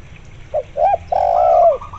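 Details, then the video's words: Spotted dove giving one phrase, accompanied by local zebra dove calling, used as a lure. Two brief hollow notes are followed by a sustained low coo, overlapped by a quick, higher stuttering zebra dove trill. "tekukur gacor di iringi suara perkutut lokal gacor untuk pancingan"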